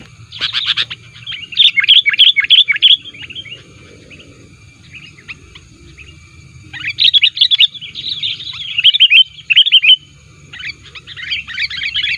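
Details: Sooty-headed bulbul used as a lure for wild bulbuls, sounding active against rivals: long busy bursts of rapid, chattering chirps and twittered notes, broken by a few quieter seconds before resuming.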